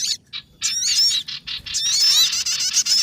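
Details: Lure recording for trapping sogon birds. After a brief chirp, a dense, high-pitched chattering of squeaky upslurred and downslurred notes builds and continues without a break.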